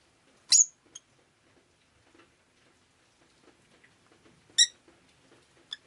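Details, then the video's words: Rosy-faced lovebird on a rainy day giving two short, sharp, high chirps about four seconds apart, with a faint tick after each and soft clicks and rustling between them. "Lovebird Chirping Sounds"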